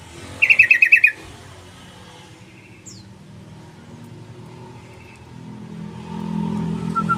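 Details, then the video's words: Sooty-headed bulbul giving one short burst of rapid bubbly chirping notes near the start, then fading into low rumbling traffic-like background noise. "PUTAR SUARA PANGGILAN TRUCUK JITU❗BURUNG TRUCUKAN GACOR❗"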